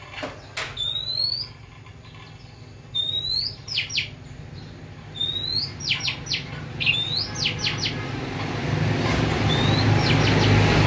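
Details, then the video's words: Oriental magpie-robin kept since it was young, alternating upward-curving whistles with clusters of three or four sharp descending chips, phrases every second or two, while a broad rushing noise swells toward the end. "Chòe than nuôi từ nhỏ"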